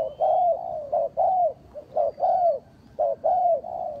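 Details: Spotted dove used as a trapping lure, giving low, mellow coos in quick two- and three-note phrases, each slurring up then drooping down, repeated about once a second, with a faint thin whistle overhead.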